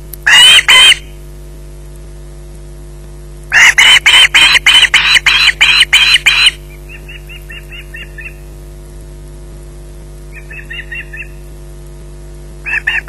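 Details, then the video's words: At its Loch Garten nest in the evening, an osprey in possession of a fish bursts into loud, grating screeches. Quieter clipped chirping series come between the harsh runs, and a final rough outburst closes the sequence. "Bynack screeching in possession"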